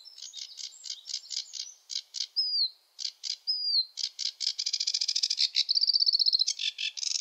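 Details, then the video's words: Male sedge warbler singing in a wetland territory, a varied, rushed, chattering song: harsh clipped notes, two sweet downslurred whistles, then quickening rattles and a brief buzzy trill. "Sedge warbler song (Acrocephalus schoenobaenus) the warbler rapper"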